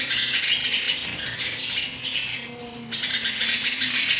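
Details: A nest of sparrow chicks during feeding, a near-continuous chorus of shrill, buzzy begging chirps, dense and rapid, barely pausing over four seconds.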